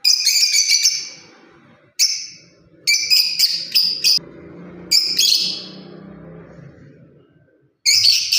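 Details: Lovebird parrot delivering rapid series of shrill, buzzy chirps in bursts with gaps, over a faint low hum from the room.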